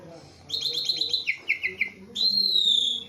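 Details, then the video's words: Tame caged Javan pied starling: a buzzy rattling phrase falling into short descending notes, then a long clear sustained whistle. "Jalak suren jawa super jinak dan gacor"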